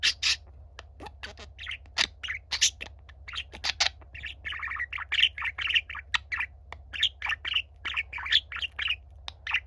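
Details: Pet budgerigar song, a younger bird wanting to be heard beside a silent older one: continuous fast chatter of clicks, buzzy warbled syllables and squeaky notes in a quick uneven rhythm, low steady hum in the background.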